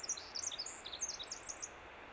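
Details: Vancouver Island winter wren singing in spring: a short burst of quick, high, chirping notes and small trills that stops after under two seconds, followed by quiet background hiss.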